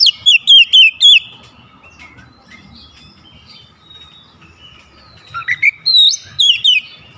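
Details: Oriental magpie-robin delivering fierce 'tembakan' phrases with a wide-open beak: four quick loud whistled notes, a long stretch of quiet twittering and soft trills, then a new burst of loud sliding whistles repeated several times.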